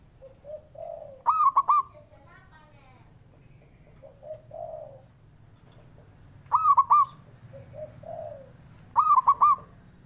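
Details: Calling male zebra dove, used as a prompt for birds slow to sing: three loud phrases of rapid ringing coo notes, each preceded by soft, lower murmured coos.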